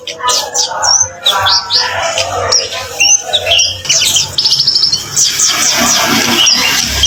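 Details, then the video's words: Kemade (orange-headed thrush) song for luring other birds: dense jumble of high whistles, fast chattering trills and mimic-like scratchy notes, overlapping phrases with a steady background hiss. "Suara burung kemade sekali denger burung macet pun akan nyaut"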